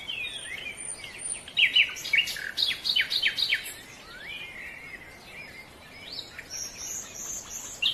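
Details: Silver-breasted broadbill, living in middle forest layers: loud sharp descending chirps in a quick run, then softer slurred whistles, against a busy chorus of other high-pitched birds and forest noise.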